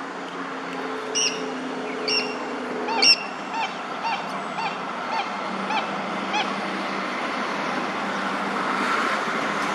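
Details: Black swan at Gympie, Queensland, giving short, bright bugling honks about once a second, over a steady background rumble and a low hum in the first few seconds.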